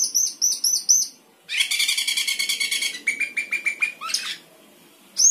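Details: Sooty-headed bulbul in gacor song with isian phrases: quick high paired whistles, then a dense buzzy chattering burst, a series of rapid lower notes, a short rising sweep, silence, and a new phrase starting.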